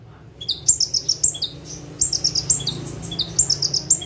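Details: Bar-winged prinia, or ciblek / prenjak tebu, singing energetically from a single perch in 'tembakan' bursts: after a quiet start, repeated phrases of downslurred whistles running into rapid, shrill ticking trills, about three phrases in four seconds.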